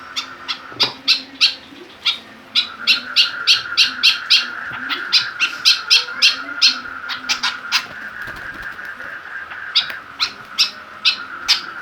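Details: White-breasted woodswallow (kekep babi), caged and provoked by a plastic bottle to grow fierce and vocal; long runs of harsh chips, about three to four per second, with brief pauses, over a constant high hum.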